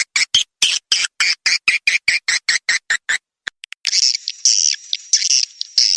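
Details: Swiftlet attraction call opening with a regular series of sharp clipped chirps, then shifting to a denser high twittering chatter.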